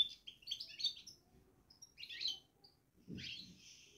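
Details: Caged European goldfinch giving its babbling twitter: short bursts of bright, tinkling chirps and trills in quick clusters, separated by brief pauses, with a soft low thump near the end.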